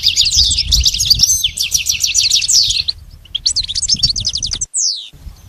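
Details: Goldfinch song meant to teach a pet bird: dense liquid twittering with trilled phrases, a short gap, then more chirps ending in a single falling whistle.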